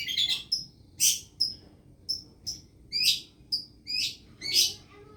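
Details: Long-tailed shrike in lovebird-imitating song gives sharp, piercing high chirps about every half second, each with a short whistled tail, plus a few faint lower notes near the end.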